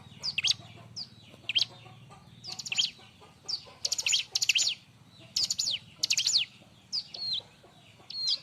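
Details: Loud, busy Bar-winged prinia song used to train other birds: high chirps come in bursts, some dense rasping clusters between four and six seconds, with a low hum throughout.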